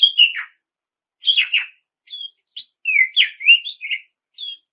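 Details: Oriental magpie-robin lure song for rival birds: a few rich downslurred whistles, then a quick run of looping whistled notes and a soft closing note.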